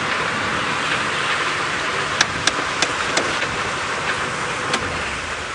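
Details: Steady engine rumble and broad hiss from a safari drive at sunrise, broken by a few sharp clicks, with no animal calls.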